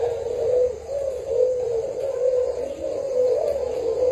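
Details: Spotted dove decoy bird from Thailand, recorded 9 July 2018. It gives low, mellow cooing phrases about once a second in an even series, with light hiss behind.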